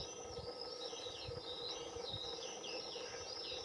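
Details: Juvenile European greenfinches, the year's first fledglings, beg while being fed by the male in a garden in 2021: rapid, overlapping, high arched chirps, repeated continuously, over low thumping background noise.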